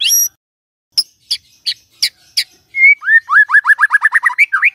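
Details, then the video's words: White-rumped shama singing a morning lure for a quiet bird: scattered high sharp notes, then a rapid series of about a dozen rising whistles repeated in quick succession. "Pancingan PAGI-PAGI AGAR MURAI GACOR❗sekali coba murai DIAM langsung bunyi"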